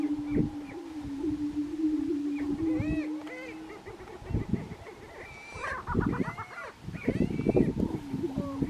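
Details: Lekking grouse in Colorado, 2023: a sustained low droning tone for several seconds, then irregular low thumps and a burst of higher, rapid cackling notes with slurred whoops, several birds at once.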